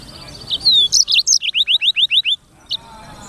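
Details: Black-throated canary song: a quick jumble of high notes leads into about eight evenly spaced, downslurred whistles, then a pause and one final short note.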